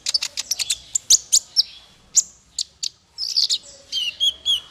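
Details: Male konin used as a tutor for songbirds: quick high ticks, then sharp squeaky notes and a closing run of slurred, falling whistles.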